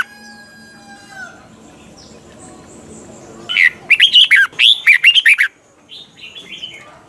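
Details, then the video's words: Caged red-whiskered bulbul giving a mature double-note song, used as a tutor recording for training other birds to sing; after a quiet start, a two-second burst of loud, quick, warbled notes rising and falling, then softer trailing notes. "chào mào hót âm kép già rừng hay tuyệt!"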